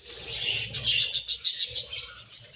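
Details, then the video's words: Budgerigars exchanging food, giving a rapid series of high pulsed chirps, about six quick beats in a second, over warbled chatter. "Budgies Chirping Sounds"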